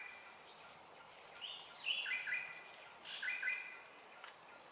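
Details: A just-fledged baby crimson sunbird in Singapore calls at regular intervals, likely to tell its parents where it is, and is fed by its mother: two short bursts of thin, high, falling chips over a shrill drone of crickets.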